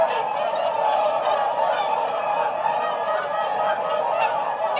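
A flock of swans calling together in a dense, unbroken chorus of nasal, bugling honks that overlap without a pause.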